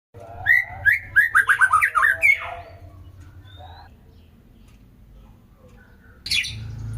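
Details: White-rumped shama (murai batu) singing a quick burst of varied, warbled and whistled phrases for about two seconds, sliding up and down in mid-high pitch, then near silence with a low hum and one sharp final note.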